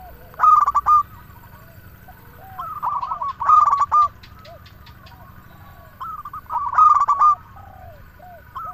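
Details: Singing local zebra dove used to prompt other doves to call: three phrases of fast, rattling coos about three seconds apart, with soft, low coo notes between the loud bursts.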